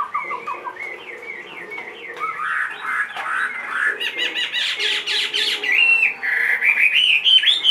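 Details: Chinese hwamei in a cage, 2.5 years old with a big build, sings a rich varied song: short dipping whistles first, then a dense run of fast buzzy rising notes and looping high phrases, growing louder toward the end.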